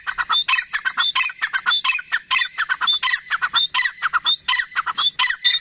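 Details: A full-size pet grey francolin (Dakhni teetar) calls in a loud, harsh run of rapid, squeaky notes, about one or two every second, in rhythmic grating bursts without pause.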